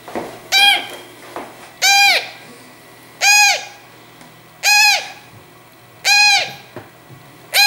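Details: Young hand-reared grey parrots of the Congo form, bred in captivity; a loud harsh rasping call with rich harmonics, repeated about every one and a half seconds over a steady low hum.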